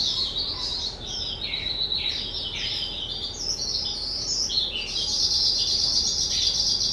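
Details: Kept skylark aged two, recorded 18 April 2023, delivering a dense high-pitched song of quick repeated chirps, buzzy trills and downward slides, several notes per second, continuing without breaks.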